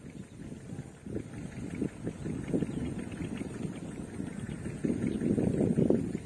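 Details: A low, rumbling engine idles and surges unevenly, with no other sounds standing out above it.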